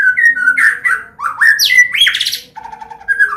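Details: White-rumped shama of the Medan type singing a combination song for training young birds: loud, rich, fluting whistles that slide and leap in pitch, with brief sharp notes between phrases.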